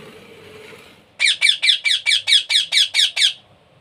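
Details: Hand-fed baby parrot begs with a run of about ten loud, raspy squawks, evenly spaced at roughly five per second. The run follows a second of near quiet and ends abruptly.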